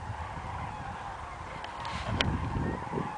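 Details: Common cranes in two formations flying over Wermelskirchen on 17 November; a dense chorus of overlapping trumpeting calls in a steady band, with a few louder rattling notes near the end, over low rumbling wind noise.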